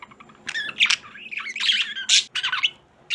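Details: Pair of pet budgerigars kept indoors at Christmastime giving a dense run of harsh squawks and buzzy, wavering chirps, loud and overlapping, over faint room hum.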